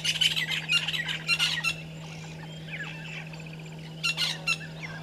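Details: Pair of Violet-backed starlings at their nesting tree, Gowrie dam, Djuma Game Reserve, South Africa, 05:48 on 13 December 2022, recorded by a live camera. Loud grating chatter for under two seconds, a quiet gap with distant birds, then another short burst; low hum throughout.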